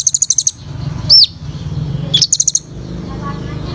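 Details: Sunbird known locally as kolibri ninja singing actively: a quick series of six high pulsed chips, a sharp descending whistle, then another burst of rapid chips, with low rumbling noise behind.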